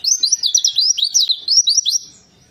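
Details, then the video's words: Warbling white-eye song meant to trigger singing in a silent white-eye: two seconds of fast, high, slurred twittering notes in quick succession, then it stops. "Pleci Ini Sangat Ampuh Untuk Pancingan Pleci Macet Bunyi"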